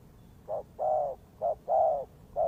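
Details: A spotted dove used as a lure for trapping coos in low, soft notes, short and long alternating: a brief coo, a drawn-out croo, another brief coo, another long croo, then a final short note, over quiet background hiss.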